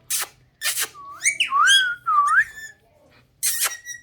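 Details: Pet talking parrot indoors, with a whistled, gliding voice weaving up and down over about two seconds, framed by short harsh bursts at the start and end.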